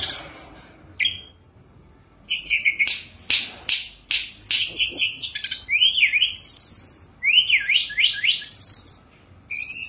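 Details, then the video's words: Caged Sunda robin in full song on its perch. Level whistles and harsh notes lead into zigzag, rising-and-falling whistled phrases repeated several times, with brief buzzy bursts between. "Tledekan Gunung Gacor full diam di pangkringan||| isian mewah"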